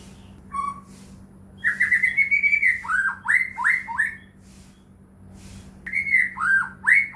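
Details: White-rumped shama (murai batu) song played as a lure to rouse caged shamas into singing: after a short whistle, loud rich phrases of rising whistles and repeated down-slurred notes, a pause, then another burst of slurred whistles.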